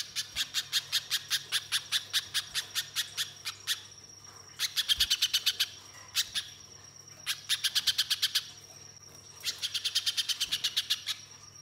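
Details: {'caption': 'Spiderhunter lure song: four long trains of rapid, sharp, high-pitched chips separated by brief pauses, with a steady thin whistle-like tone sounding between them.'}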